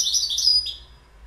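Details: Short fragment of goldfinch song, a quick cluster of high twittering notes sliding downward and fading within a second.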